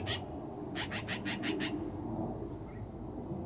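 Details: Black-billed magpie near a nest in a backyard evergreen in Edmonton, Canada, on a June morning while magpies face off with cats: a single harsh noisy note, then a rapid chatter of five raspy notes, over steady low background rumble.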